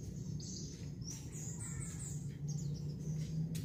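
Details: Flamboyan bird in full song, giving a quick series of high, sweet, downslurred whistles and short trills above a constant low mechanical hum.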